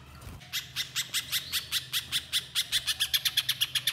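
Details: Little spiderhunter giving a steady, quickening run of loud, sharp high chips, about two to three per second, growing denser toward the end, with faint low hum behind.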